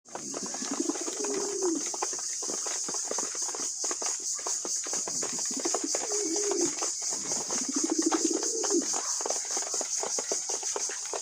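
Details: Pet pigeons while eating: three soft, low, arching coos, each rising and falling, spaced a few seconds apart over a steady high-pitched buzzing background with scattered clicks.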